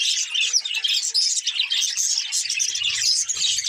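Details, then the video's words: A group of budgies sings and plays, giving a thick stream of squeaky, warbling chirps and short sharp tweets that overlap continuously, with a soft low rumble joining late. "Budgies Chirping Sounds | Happy Parakeets Sing and Playing"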